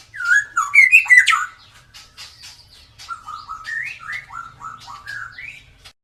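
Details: Klewer-tailed white-rumped shama singing for use as a lure to set other birds singing: loud looping whistled phrases with squeaky accents, then a chain of softer slurred notes rising and falling in turn.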